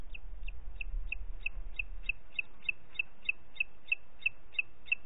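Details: Booted eagle, Parc Natural dels Ports, 30 June 2021, 11:01: a clear sequence of about fifteen piercing, high, short notes at an even pace, with some low rumble early on.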